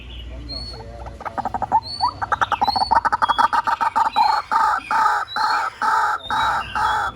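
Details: White-breasted waterhen calling on a decoy recording used to lure birds: scattered short notes quickly build into a loud, regular series of harsh, nasal croaks repeated about once a second, with faint higher squeaks.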